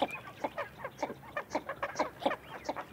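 Northern Shoveler giving a quick run of short, nasal, mid-pitched notes, about four each second, uneven in spacing, over a faint low background rumble.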